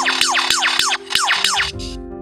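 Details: Australian superb lyrebird mimicking a laser gun gives rapid falling 'pew' sweeps, about three each second, high to low, over steady background music.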